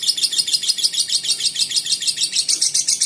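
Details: Lovebird chattering without pause: a fast, steady stream of very high, shrill chirps, several per second, with a quiet background.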